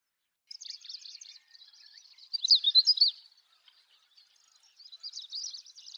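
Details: High, quick twittering from a Siberian long-tailed rosefinch, with a louder chattering burst in the middle and softer warbled notes before and after.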